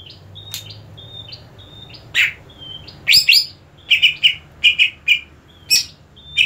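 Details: Greater green leafbird, kept for singing contests, gives a series of thin level whistles, then sharp chips and repeated short slurred whistles about once per second.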